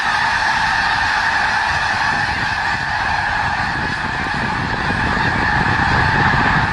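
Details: Huge winter flock of snow geese gathered in Skagit Valley, heard as a continuous wall of many overlapping nasal honks, loud and even from start to finish, with a low rumble underneath.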